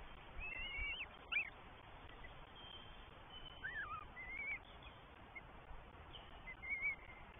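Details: Northern goshawk nestlings, three chicks in the New Forest on 20 May 2023 during feeding by both parents; scattered, wavering whistled calls with some warbling bends, separated by gaps, over quiet low-frequency background noise.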